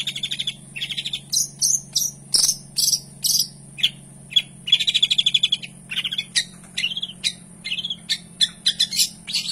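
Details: Long-tailed shrike singing a varied fill-in gacor song: buzzy trills, slurred whistles and sharp chips alternating through a long rambling sequence, with a steady low hum behind.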